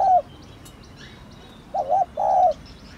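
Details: Spotted dove giving a thổ đồng style calling coo used to stir a decoy bird into cooing; a short coo opens, then after a pause a rising two-part phrase ending in a longer mellow drawn-out note.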